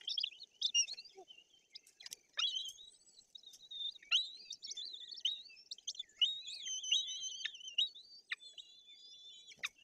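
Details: White-tailed eagle chicks calling to be fed at a nest in Poland's Tuchola Forest, 8 June 2022, while the female brings fish. Irregular high chirps and wavering whistles, broken by sharp clicks and rustling at the nest.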